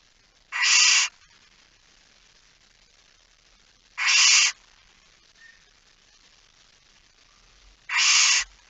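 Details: Barn owl in a nest box at night, Fryslân, Netherlands, September 2019, with a small chick: three harsh hissing screeches, each about half a second, spaced three to four seconds apart with near silence between.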